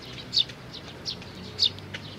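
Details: Sparrows, parents with chicks, 11 May 2019: two brief, bright chirps about a second and a quarter apart, with faint quieter chirping between them over low background noise.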